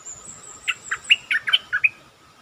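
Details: Stripe-throated bulbul kept caged, its song serving as a lure: one quick phrase of about seven liquid, chirping notes heard against a noisy hiss and a continuous high whine.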